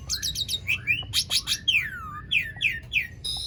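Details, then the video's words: Asian pied starling song used as a lure to make silent starlings sing: a fast series of high chirps, then long swooping descending whistles repeated in rhythmic succession. "Jalak Suren Gacor Dor Ngerol Panjang Ampuh Buat Pancingan Jalak Macet Agar Bunyi"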